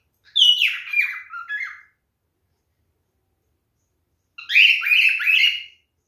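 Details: Two bursts of loud, rapid falling whistles, each about one and a half seconds long and separated by a silent stretch, from a male cockatiel performing mating behaviour.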